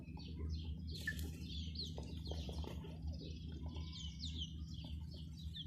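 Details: Baby chickens with a hen, a crowd of chicks giving thin, high, falling peeps in quick overlapping series, with soft low thumps and a constant low background hum.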